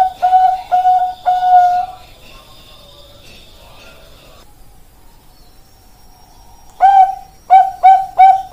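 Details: Bangkok-type zebra dove: a few clear cooing notes, a long pause with only faint background hum, then another quick burst of short coos.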